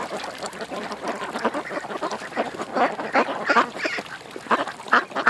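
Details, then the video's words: Ducks at a creek, a dense chorus of harsh, nasal quacks overlapping from several birds, rapid and irregular, about three calls a second throughout. "Ducks At The Creek"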